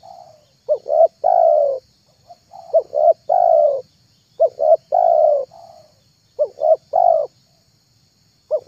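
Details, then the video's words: Spotted dove lure recording for wild doves, mellow low coos in rhythmic phrases: a soft lead note, two short coos, then a long drawn coo, repeated about every two seconds. "MP3 TEKUKUR PIKAT"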